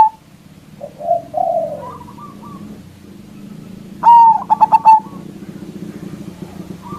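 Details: Loud local zebra dove calling to lure rival doves: soft low coos early, then one ringing phrase of a long whistle and three or four staccato notes over a steady low hum.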